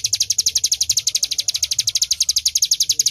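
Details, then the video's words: Bar-winged prinia, locally ciblek gunung, delivering its fast "nembak" burst: sharp, high ticking chirps hammered out nearly four times a second in a steady stream over faint low rumble. "Ciblek Gunung Full Nembak"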